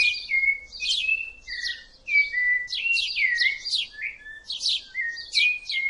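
A rufous-bellied thrush sings a continuous, varied string of clear fluting and warbled phrases, slurred up and down, with no pauses.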